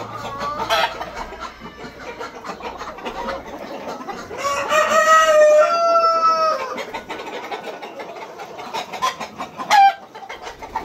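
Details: Super hybrid egg-laying hens in farm laying boxes. Scattered clucks build into one loud, drawn-out, harmonic squawk in the middle. A short, sharp cry comes near the end over steady background rustling.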